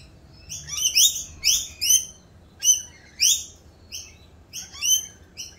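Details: Rainbow lorikeets in mating season, calling raucously around their mating dance: a regular series of sharp, harsh screeches roughly every half second, with brief pauses between clusters.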